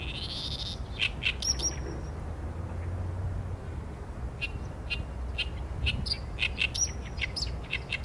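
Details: An Oriental reed warbler sings loud, harsh phrases: a strong grating note opens, then repeated rasping syllables and sharp chatters come in bursts over about eight seconds, with low background noise.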